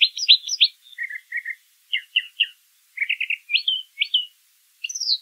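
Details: Brown thrasher singing in nature: varied phrases of chirpy, slurred notes, many given in pairs or triplets, jumping between mid and high pitches with short pauses between phrases.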